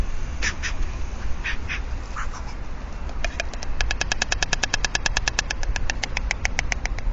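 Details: White stork pair at their nest in Alcalá de Henares, Madrid, Spain, starting the season's copulations. A few scattered dry clicks are followed by a fast, even train of wooden knocks lasting about four seconds, over a steady low rumble.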